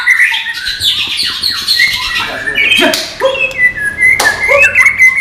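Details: White-rumped shama of the non-bubbling type giving a dense varied song: rapid chattering runs, sharp downward-swept notes and clear whistled slurs, loud and continuous throughout.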